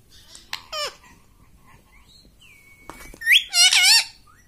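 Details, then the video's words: Pet ringneck parrot indoors, said to speak the word "mummy": brief squeaky wavering notes, a thin whistled tone, then a louder burst of two quavering, warbled syllables at the end. "mummy bolne wala tota - मम्मी बोलने वाला तोता"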